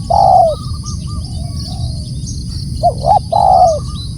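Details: Spotted dove calling loudly; a long falling coo, soft higher notes trailing off, then two short coos and another long downward coo, over constant low hum and faint high-pitched whine.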